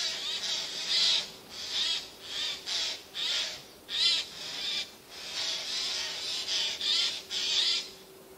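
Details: Eurasian jays hidden in spruce trees, recorded 13 September 2024, one perched at the very top of a spruce; harsh, rasping screeches in short bursts, repeated irregularly about every two to three seconds, with a steady faint hum underneath.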